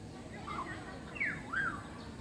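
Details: A five-month-old Aceh common hill myna gives a few whistled notes that swoop sharply down and back up, with a fainter, lower whistle before them, over quiet background hiss.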